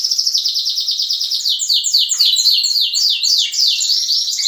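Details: Canary chorus of youngsters and adults at dawn in a breeding room: a rapid series of sharply upswept chirps tumbling over one another, layered on continuous high rolling trills.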